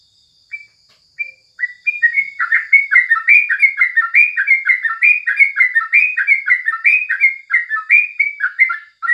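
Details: Sooty-headed bulbul song in the morning, recorded for training other songbirds: after a few short whistled notes, a dense, continuous run of bubbly, chattering phrases follows. A faint steady high tone runs throughout.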